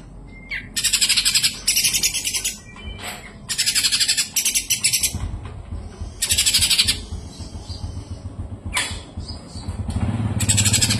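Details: Kapas tembak white-eye singing a long, clear song: repeated bright bursts of fast, high, buzzy twittering about a second long, with gaps between them and a few thin single notes and low rumbling background noise.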